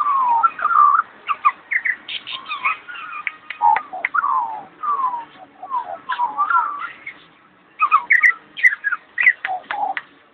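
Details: Talking magpie producing a long rambling medley of whistled glides, quick chirps and sharp clicks, the phrases rushing together and pausing briefly before a final burst of notes.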